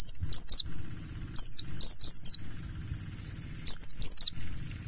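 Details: Mountain white-eye lure sound, ngalas style, for getting birds to sing: sharp, very high downslurred notes given in quick pairs or triplets, separated by pauses of about a second, over a low steady hum.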